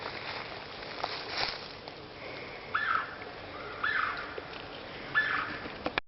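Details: Bird of unknown species calling in Komoka Park in 2010, heard only: three short, mid-pitched call notes that rise slightly, spaced a second or more apart, over a steady background hiss with a few clicks.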